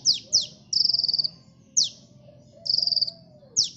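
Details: Lively sunbird song used as a bird lure, mixing quick high falling notes with two rapid rattling trills about half a second long; faint low hum underneath.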